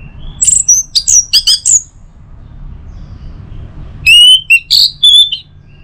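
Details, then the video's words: Song of the orange-headed thrush, meant to prompt singing from other birds in the morning: a quick series of shrill, buzzy chirps, a silent stretch, then strong clear whistles and slurred notes. "Saatnya Buat ANIS MERAH NGEPLONG Gacor dirumah. Pancing dengan suara burung ini baik pagi hari."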